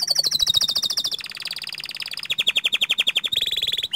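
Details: Panda canary in full song with rolling ngerol trills and long extended phrases. A fast, very high trill steps down into a steady mid-pitched roll, then into a lower, throbbing trill of about four notes per second.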